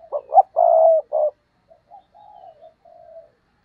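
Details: Decoy spotted dove calling to entice wild doves: two quick throaty hoots, a long level coo and a short closing note, then a string of fainter, softer coos trailing off.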